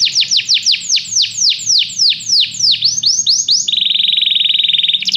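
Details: Singing canary used to encourage another canary to sing: a string of bold, curving descending notes about five per second, then a sudden change to a fast, even, buzzy trill.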